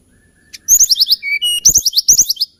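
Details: Hill blue flycatcher song: a rapid run of bright, high slurred whistles, repeated in two close phrases with a short steady whistled note between them.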